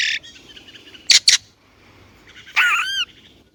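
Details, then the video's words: Chinese blackbird singing: a short buzzy phrase, two sharp clicking notes, then a loud rich whistle with curving upslurred and downslurred tones, separated by brief pauses against quiet background. "烏鶇(黑鶇)的叫聲/Sound of Chinese Blackbird"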